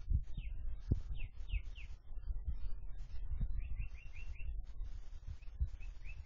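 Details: Tame captive sooty-headed bulbul, vocal all day, calling in bouncy sequences of short downslurred whistles, one run of four rapid notes in the middle, over steady low rumble and occasional thumps.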